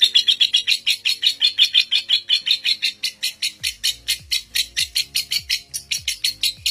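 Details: Record-breaking lovebird sustaining its ngekek trill, seven minutes non-stop, kept as a training master for young lovebirds; a steady stream of loud, rapid, scratchy high pulses with faint low thuds in the background.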